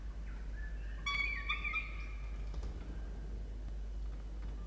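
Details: Nest box of peregrine falcons, Orange, New South Wales, Australia, 1 November 2021, adult feeding a chick: a short rising whine followed by a louder quavering wail, then quiet hum.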